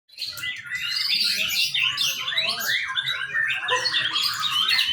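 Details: Young white-rumped shama singing a continuous, rapid stream of varied whistles, trills and chattering notes, some rising and falling, with no pauses; recording kept as a lure song for training other birds.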